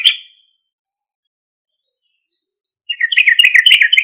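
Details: Sooty-headed bulbul singing loudly, played as a lure for other bulbuls: a faint clipped note at the start, then after silence a quick, chattering run of bubbly, slurred notes.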